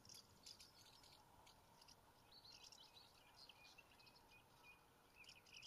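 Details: Common house martins (Delichon urbicum) at Lippetal, Germany, on 22 May 2016 at 14:20 give soft, dry twittering chirps, scattered and overlapping throughout, over steady background hiss.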